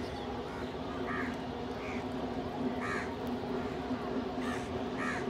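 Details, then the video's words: Crows feeding as a group with pigeons nearby, giving rasping, nasal caws roughly once a second, single or in quick pairs, over a continuous low droning background noise. "Crow ki awaz naturally"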